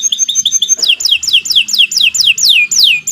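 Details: Canary song used for training other birds: soft repeated two-note chirps, then a loud series of about ten downward-sweeping whistles, evenly paced, clear and high.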